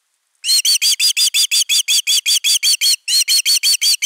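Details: Osprey calling while defending its nest on 31 August 2021: a fast series of strident, piping whistles starting abruptly, briefly halting after about three seconds, then continuing at the same pace.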